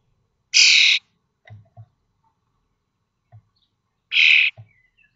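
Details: Common starling nestlings fledging from a nest box in Théding, France, 19 May 2024, three weeks after hatching; two loud, short rasping squawks about three and a half seconds apart, with faint low taps between.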